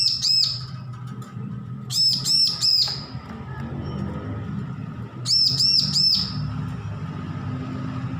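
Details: Bar-winged prinia, a young bird recently off hand-feeding and learning to sing, delivers three bursts of three or four clear, piercing high arched notes, the later bursts about three seconds apart, over a low steady hum.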